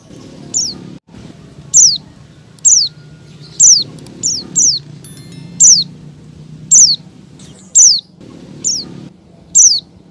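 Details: Female Oriental white-eye calling to a male, played to lure caged males into singing: thin, high-pitched notes sliding downward, repeated roughly once a second with irregular spacing, over low background hum.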